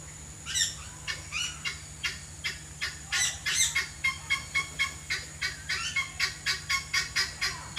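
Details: Lory from a bird collection, described as gacor (a lively, vocal bird), producing a long, insistent series of short, honking, raspy calls, about four per second. The calls grow steadier and more regular toward the end.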